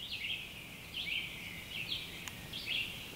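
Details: Red-eyed Vireo at a campsite during the sunrise dawn chorus on a clear early morning sings four short, slurred whistled phrases in quick succession, each under a second with brief pauses, over a soft rural background hiss.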